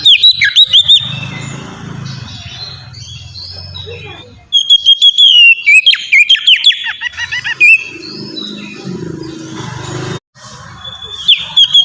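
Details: Oriental magpie-robin singing in the ngeplong style, used as a lure to get other birds singing: loud, clear high whistles mixed with rapid chattering and sharp slurred notes in bursts, with brief pauses and a low rumbling hum underneath.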